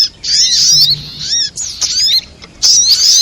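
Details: Lure recording of sogok ontong, a sunbird, used for trapping: shrill, very high chattering phrases with slurred whistled notes, three loud bursts separated by brief gaps.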